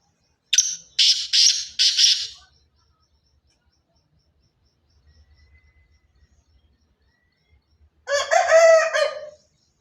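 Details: Black francolin of the pure Sindhi chirki strain from Sindh: four harsh, grating broadband notes in quick succession, a long pause with faint low thumps, then a final rasping, buzzy phrase with stacked tones.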